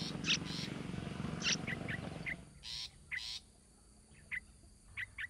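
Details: Yellow-vented bulbul (Pycnonotus goiavier) chicks begging as their mother feeds them in the sun: short, thin, rising chirps in quick irregular bursts, with rustling and a low background rumble that fades halfway.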